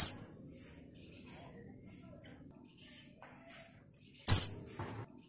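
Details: Female Buxton's white-eye, used as a lure to get other white-eyes singing. It gives two brief, thin, high chirps about four seconds apart, with near silence between them.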